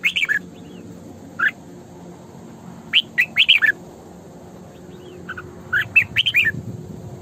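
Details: Female red-whiskered bulbul kept as a lure bird, singing sổ bọng phrases: clusters of clear, warbling whistles that rise and fall, separated by pauses of a couple of seconds, with steady low hum behind.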